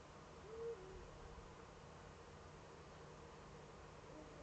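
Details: Eurasian eagle-owls of a pair calling in the Eifel, evening of 7 April 2013, with the male at the nest; one brief level hoot early on, then only continuous low rumble and hiss.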